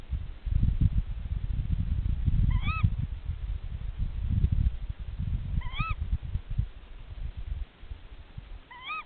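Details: Tawny owl pair calling to each other at the nest during a nest check: three short, hoarse, rising-then-falling calls spaced about three seconds apart, over a steady low rumble of wind or handling noise.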